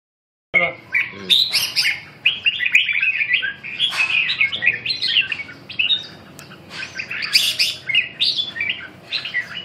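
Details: Red-whiskered bulbul of the Huế type, singing alone and very fired up, at a bird-singing exchange event: lively, jumbled bursts of bright whistled and chirping phrases, almost unbroken, with other birds chirping close by.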